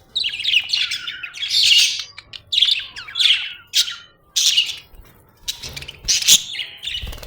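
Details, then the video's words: Happy budgerigar chattering steadily: a dense run of high, scratchy chirps and warbles with only brief pauses, lively and continuous throughout. "happy budgie chirping sound"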